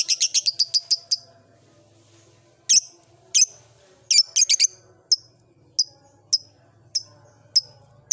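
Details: Blue ice lovebird kept in an old cage, beginning its ngekek: a quick burst of high chirps, then spaced sharp single tweets and short clusters every half second to second, with low indoor hum.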